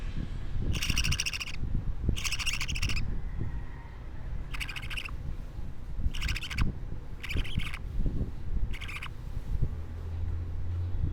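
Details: Baby budgerigar, two weeks old, giving six raspy pulsed chirps in evenly spaced bursts over about ten seconds, with low rumbling room noise between them.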